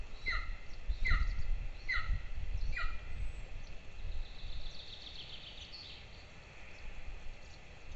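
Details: At a nest in Lahemaa, Estonia, two golden eagle chicks call during breakfast on 22 June 2024, caught on a nest camera near a training ground: four quick descending squeals, then fainter thin notes and rumble.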